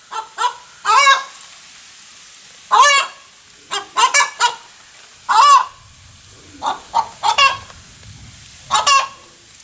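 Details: Hen calling after laying an egg: loud, nasal cackling squawks in irregular bursts, single notes and rapid pairs or triples separated by short pauses, with a faint low rumble in the background.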